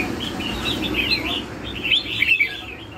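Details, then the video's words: Lân hầu bò style song of a red-whiskered bulbul: a short string of clear, swooping whistled notes that grow brighter toward the end, over a soft background hum. "CHÀO MÀO LÂN HẦU BÒ"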